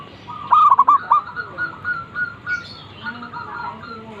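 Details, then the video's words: Morning call of a zebra dove: one clear phrase of a drawn-out note and three short rolling coos, after which quieter, more distant dove phrases continue. "suara burung perkutut gacor | zebra dove still calling every morning"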